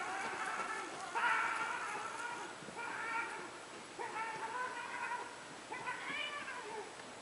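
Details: Seagulls screaming in Capitol Gorge: a series of harsh, harmonic-rich wailing calls, about five drawn-out cries spaced roughly a second apart, each slightly rising then falling, over steady background hiss.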